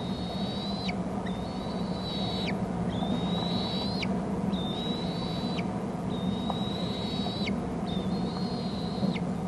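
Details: Eaglets of bald eagles in their Hornby Island nest, seen on a territory camera while a parent delivers food, repeat high, slightly rising piping whistles ending in abrupt downward drops, roughly seven calls, with steady low hum beneath.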